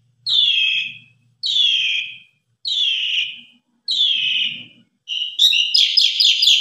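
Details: Asian pied starling singing gacor: four loud, descending whistled notes spaced about a second apart, then a rapid jumble of buzzy, chattering phrases. Meant as a tutor recording for beginner birds.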